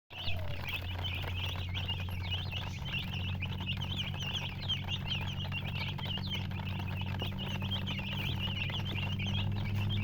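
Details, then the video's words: Many baby chicks chirping continuously in a dense overlapping chorus of short, high, bending peeps, with a steady low mechanical hum throughout. "silly chicken chirping sounds"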